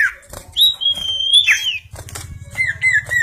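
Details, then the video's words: Energetic singing from a bar-winged prinia: a long, sustained high whistle that bends upward, followed after a short gap by softer, lower wavering whistles, with a low hum underneath. "Burung SIRTU/CIPOW/CIPOH gacor"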